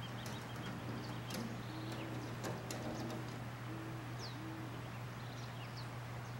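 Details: Rufous-capped motmot at Fazenda Nova Gokula, giving soft, low, hollow hoots in short pairs, about four notes over a few seconds, over a steady low hum with faint chirps of other birds.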